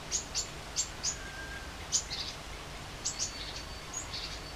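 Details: Great spotted woodpecker calling: short, sharp, high clicky notes spaced irregularly, about eight in under five seconds, with thin high whistles from other small birds and a steady low background hiss.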